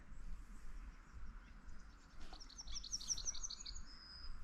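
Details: Yellowhammer song in an exceptionally warm, wet February winter (17 Feb) near forest logging: a quick run of about eight high, dry repeated notes, then a drawn-out higher note, over low wind rumble; the bird sometimes stops mid-song.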